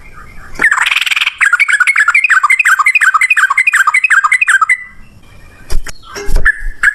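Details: Rapid 'ropel ngalas' song of a sooty-headed bulbul, played to make birds answer. A harsh burst leads into a long run of bubbly, up-and-down notes, about three per second, then a pause and a few sharp knocks.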